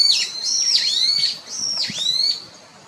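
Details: Brown-eared Bulbul calling: loud, shrill, harsh notes sweeping down and back up, repeated about three times in three seconds, with strong harmonics and no other clear sounds.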